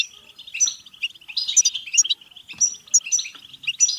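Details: European goldfinch singing a betbeta-style song, used to excite goldfinches into singing and mating: fast, liquid, tinkling twitters and buzzy trills packed densely together, with bright sharp notes bursting in clusters roughly every half second.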